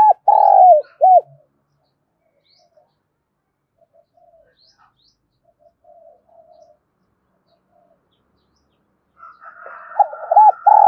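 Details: Decoy spotted dove meant to stir up other doves, loud and resonant. Only fragments are heard: the tail of a coo phrase at the start, a long quiet gap, then a crow-like call overlapping the opening of another phrase at the end.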